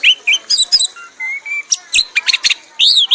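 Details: Prize-winning red-whiskered bulbul in its ecstatic 'mabok' singing, continuing until exhausted. It gives a fast, varied run of bright whistled notes and chirps, some rising or falling, with a few longer steady whistles in the middle.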